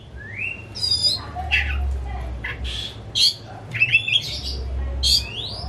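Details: Pet white-rumped shama (kacer) kept at home as a hobby, not for contests, singing as a lure to make a silent shama sing: rising whistled slurs mixed with harsh buzzy notes and chattering bursts, with steady low hum behind.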